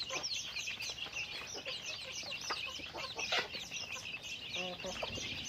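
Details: Chickens busy with daily activity: scattered clucks and one short tonal, harmonic call near the end, all over a loud, busy backdrop of high chirps.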